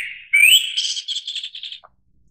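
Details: Short song phrase of a Japanese thrush: a soft whistle, then a sharply rising clear note, then a quick descending series of fluttering, trilled notes that fade away.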